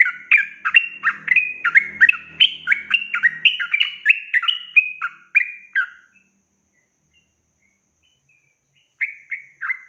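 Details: Yellow-vented bulbul, long 'ropel' tutor song for young birds: six seconds of fast, jumbled liquid whistles over a faint low hum, then silence, then two more short whistled notes.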